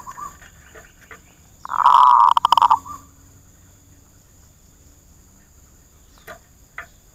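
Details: A zebra dove kept as a decoy bird for trapping gives one loud, bubbly cooing burst lasting over a second, with clicking noises during it and a faint steady high hum throughout.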